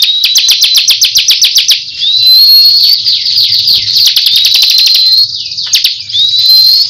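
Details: Ciblek kristal, a bar-winged prinia, in loud tembakan song. Rapid machine-gun chips repeat several times a second, then give way to long buzzy trills broken by thin up-slurred whistles, repeating the pattern over a faint hum.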